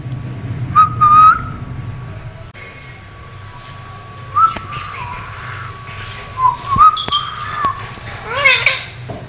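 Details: Pet rose-ringed (ringneck) parakeet talking, saying "Mian Mitthu chori khani ha" in Urdu/Hindi: short bursts of thin, whistly, warbling syllables with pauses between phrases over a quiet indoor hum.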